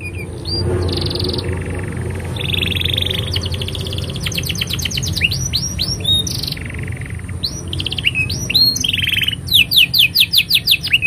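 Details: Canary in full, long song, used as a master recording for training young canaries: rapid trills, sweeping upslurred notes and buzzy rattles alternate, ending in a fast series of loud repeated rising notes; a low steady hum underneath.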